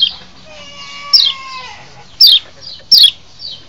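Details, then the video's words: Kecial lombok white-eye lure sound for drawing in wild birds. A softer, wavering, descending call with layered tones comes first, followed by loud, sharp, falling high notes and quieter echoing chirps. "masteran untuk mancing birahi burung kecial di alam liar"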